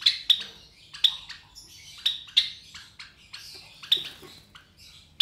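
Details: Three young Java sparrows about 23 days old, hatched to white Java sparrow parents indoors; loud, hoarse, squawking chirps roughly once a second, each fading quickly, some softer notes between.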